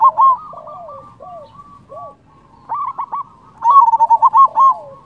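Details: Zebra dove of local stock, singing loudly to draw rival doves to reply: scattered descending coo notes, then a rapid string of rolling, bubbling coos near the end.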